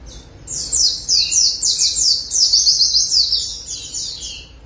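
A white-eye sings a fast, high, twittering song of rapid slurred notes, sustained for several seconds with brief breaks.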